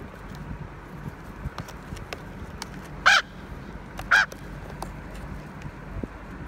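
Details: A bossy raven showing other ravens who is in charge: two short, hoarse calls about a second apart against a background of low rumble and scattered clicks.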